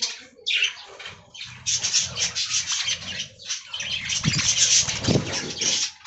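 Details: A flock of budgies enjoying fresh green leaves fills the air with steady, overlapping high twittering and scratchy warbles. Soft thumping and wing-flutter sounds come from below.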